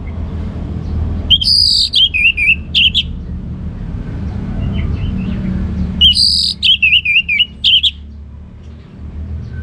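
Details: Ngeplong-style song of an orange-headed thrush: two matching phrases about five seconds apart, each opening with a high bright note and falling into rapid, rolling whistled warbles, with steady low hum underneath.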